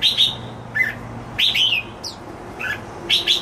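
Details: Happily singing pet jambul (red-whiskered bulbul) gives short clusters of clear, bouncy whistled notes with brief gaps between them, against a low background hum.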